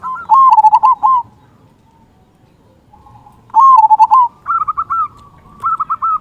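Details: Local zebra dove with a big 'kung' voice, kept as a lure to stimulate lazy singers. Two loud, stuttering coo phrases are separated by a pause, followed by higher, quicker rolling coos.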